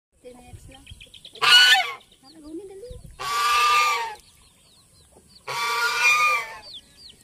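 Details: A white domestic goose gives three loud, harsh, broad honks about two seconds apart, each roughly half a second to a second long, with faint chirps between.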